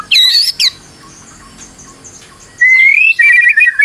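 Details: White-rumped shama, stressed, singing as a lure to get another bird going; a bright high whistled flourish, a near-silent gap, then a long rising whistle breaking into quick chattering notes.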